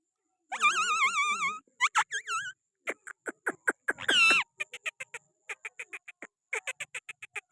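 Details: Pakistani green parrot sitting on a hand starts with a long quavering squawk and bent whistles, then a rapid sequence of short clicking chirps with one harsh screech in the middle.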